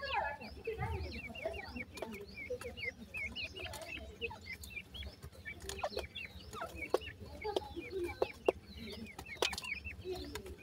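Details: Many grey francolin chicks peep together in a steady chorus of short, high, downward-curving notes, scattered irregularly throughout, with intermittent sharp tapping clicks and a low background rumble.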